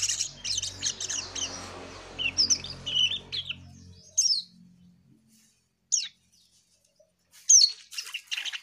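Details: Asian pied starling singing: quick chattering whistles and squeaks over a low background hum, then isolated sharp squeaky notes spaced a second or more apart.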